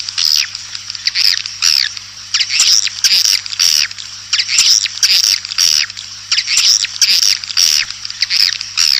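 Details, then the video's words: Call sound used to lure swiftlets: bursts of sharp high twittering chirps in clusters roughly every two seconds, separated by short pauses, with a faint steady hum underneath. "Suara Panggil Burung Walet"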